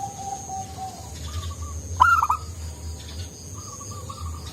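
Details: Soft-voiced local zebra dove singing freely, used to stir other doves: one loud stuttering coo burst mid-phrase amid low continuous coos from further doves, with a faint high whine.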